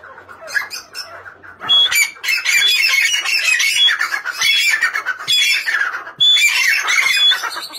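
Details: Grey francolin calling: after a quiet start, harsh, shrill squawking notes come in a dense, irregular, repeated series for about six seconds.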